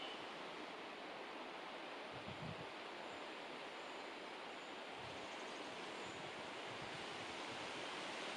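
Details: Steady broadband rushing noise like wind or distant surf, with a few faint low thumps and no clear animal calls.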